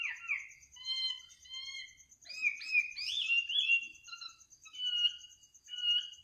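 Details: Night-time bird song: a few pure whistles about a second apart, then a tumbling burst of fluid warbling and more drawn-out whistles, over a faint steady high-pitched ticking.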